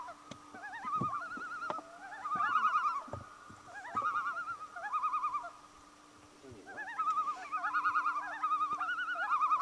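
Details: At dusk on Dollars Lake, Ontario, loons give overlapping quavering, wavering calls in one-second bursts that rise and fall, answering each other, over a steady low hum and a few faint clicks.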